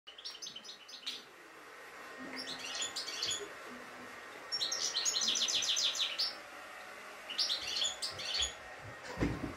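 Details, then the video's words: Kept European goldfinch singing a fine, flawless song with 'şak şak' clicking notes: bursts of bright, rapid twittering trills and high chirps, in phrases separated by short pauses, over a faint steady background hum. "İyi ötümlü saka kuşu"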